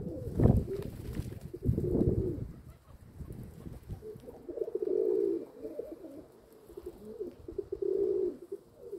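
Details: Domestic pigeons: two loud bumps open the recording, then a pigeon gives drawn-out, bubbling coos around five and eight seconds in a quieter setting.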